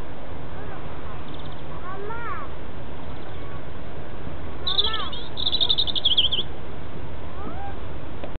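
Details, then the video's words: A robin singing in a tree gives a quick, high, warbling phrase of thin twittering notes lasting about two seconds, with a few fainter sliding notes over a steady low rumble. "Robin singing"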